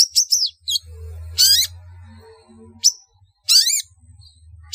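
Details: Harsh calling of a long-tailed shrike, a lure for gathering birds: quick scratchy chips, then two loud grating rasps each carrying an upward-sweeping tone, and a sharp single note, over a steady low hum.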